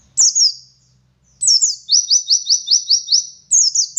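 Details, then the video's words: Oriental white-eye, Garut local from West Java, in 'ngalas' song: a couple of sharp high chirps, a pause, then a steady series of about eight evenly repeated falling whistles, with faint low hum. "Burung Pleci Gacor Ngalas Wit Wit Sambung Ngeriwik Full Isian"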